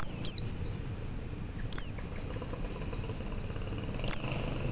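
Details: High, thin descending call notes from a male Oriental white-eye summoning others: a quick close pair at the start, then two single notes spaced well apart, with soft background noise.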